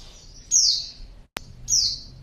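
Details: Calls of a female white-eye used to draw a male: two bright, high descending chirps about a second apart with a sharp click between them.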